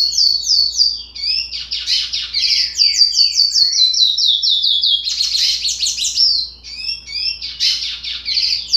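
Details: Chestnut-bellied seed finch (curió) fledgling, 60 days old, singing an undeveloped song: bursts of high chattering downslurs and buzzy runs separated by brief gaps, the phrasing loose and irregular.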